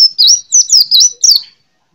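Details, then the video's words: Kept white-eye, a small greenish-yellow songbird, giving five quick, high wavering whistled notes that each rise and fall slightly, ending in silence. "Burung Pleci Mantap Neeh"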